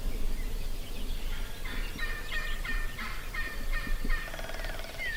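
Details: Call-shy longbeard wild turkey tom in Nebraska, approached without calls or decoys, gives a long rapid rolling gobble lasting over two seconds, with chattering songbirds and steady outdoor background noise.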